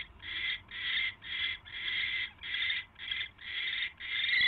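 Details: Owl recorded January 28, 2016 at night while getting a mouse: eight drawn-out, breathy screeching bursts in a regular rhythm, each about half a second long.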